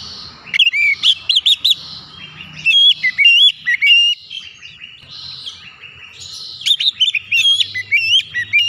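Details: Oriental magpie-robin song, played as therapy for silent or stressed birds: bursts of loud, varied whistled phrases with quick rising and falling slurs and sharp high notes, separated by quieter pauses over a low background hum.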